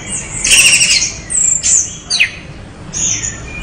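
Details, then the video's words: Orange-headed thrush in lively song, giving harsh, scratchy high bursts and thin whistled slurs with brief pauses between phrases. "anis merah gacor"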